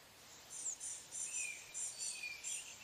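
Blue-gray gnatcatcher giving a soft series of thin, very high, wheezy notes in short bursts, with a few lower slurred notes mixed in, over faint hiss.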